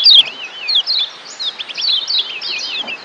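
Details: Lombok yellow white-eye training song meant to turn 'ngeriwik' chatter into 'ngeplong' singing: continuous high, wavering warbles and looping whistled trills, with quick chips mixed in and faint background hiss.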